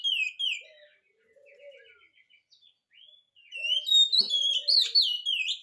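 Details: Lure song of an oriental magpie-robin for getting quiet magpie-robins to reply: sweeping whistles, a pause with soft stuttering trills and a single click, then a loud varied whistled sequence.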